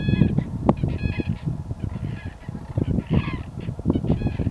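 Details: Common cranes in the countryside around Berlin, Germany, 25 February 2016: repeated harsh, bugling trumpet calls, several overlapping in quick bursts throughout, with a constant low background roar of wind.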